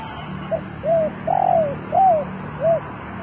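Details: Spotted dove kept as a lure, calling to draw in wild birds; a short soft note leads into arched coos with a long quavering middle note, ending on a fainter coo, over low background hum.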